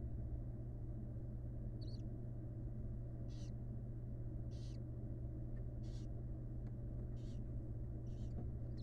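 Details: Wild barn owl, the first newly hatched nestling in a monitored nest box, begging; short hissing bursts come roughly every second, faint over a steady low hum.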